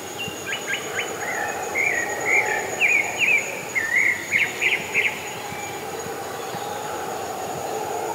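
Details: Pale-breasted thrush singing freely in the wild, its melodious breeding-season song: a five-second run of short warbled and whistled phrases, rising and falling, over a steady high insect buzz and a low droning hum that continue afterwards.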